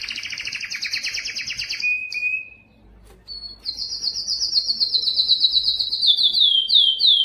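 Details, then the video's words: Belgian canary, loudest song to attract females for breeding: fast harmonic trills, a short whistled note, a pause, then a long high rapid trill descending slightly. "O canto mais forte do canário belga que atrai as fêmeas para a reprodução"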